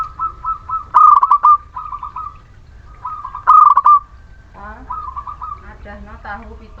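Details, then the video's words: Local Muria zebra dove, a caged bird, singing a lure song meant to stimulate reluctant birds: loud trilled cooing phrases near one pitch, repeated roughly every two and a half seconds, with fainter softer coos between. "Perkutut lokal Muria gacor pancingan setiap waktu perkutut malas bunyi"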